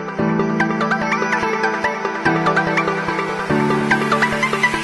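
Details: Electronic music plays throughout, with a deep held drone, plucked and chiming notes in a regular beat, and no animal voice.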